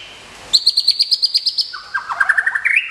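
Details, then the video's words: White-rumped shama, a caged champion contest bird kept in Kebumen, Indonesia, in moult care, sings a rapid run of about ten bright high notes, then drops into a lower, quicker trill ending in a rising flourish. "SUARA BURUNG : Perawatan Mabung Murai Batu"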